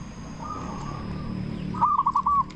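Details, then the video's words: Local zebra dove, used to lure other zebra doves into answering: a faint soft trill followed by a short loud burst of rapid, quavering coos, over low background rumble. "Perkutut Lokal Gacor SUARA BESAR Ahlinya Bikin Semua Burung Perkutut Langsung Nyaut"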